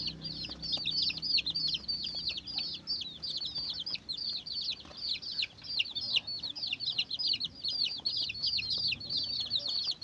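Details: Chick peeping for a civet-hunting lure: a continuous stream of high, falling cheeps, irregular and overlapping, with faint background noise throughout.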